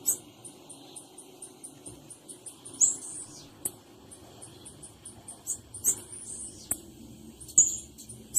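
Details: A female blue-black grassquit opens with an even series of soft high ticks, then louder squeaky chips in small bursts, with occasional clicks.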